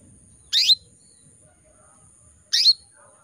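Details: Breeding-condition female canary calling to males with two crisp chirps two seconds apart, every note a fast downward buzz tipped by a clear high whistle; otherwise quiet except faint low rumble.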